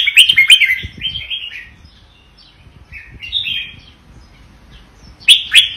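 Red-whiskered bulbul giving bright, bubbly whistled phrases, four quick bursts over six seconds, the first and last loud and chattery; otherwise quiet.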